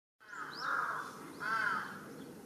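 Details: Large-billed crow making a commotion atop a utility pole in a residential area, recorded 1 July 2023: two loud, harsh, drawn-out caws about a second apart, each with a hoarse, slightly arched tone.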